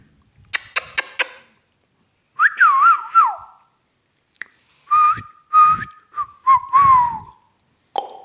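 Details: Pet parrot talking; a few sharp clicks, then wavering whistled notes that wobble up and down, followed by several shorter whistled phrases, and a final soft squeak.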